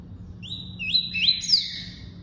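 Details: Double-collared seedeater in tuí-tuí song: a flowing run of clear high whistles, rising slurs linked by steady tones, building in loudness to a bright peak before trailing off, with light low-pitched background hum.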